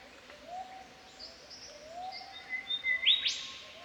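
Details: Golden Whistler of Australia singing in spring: after quiet low slurred calls from another bird, a clear whistle swells into a loud burst ending in a sharp whipcrack-like rising note.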